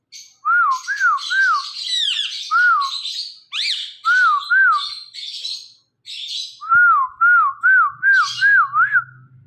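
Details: Talking ring-necked parakeet imitating sounds: a run of rounded, wavy whistled notes repeated over two bursts, about two per second, mixed with harsh, chattering squawks.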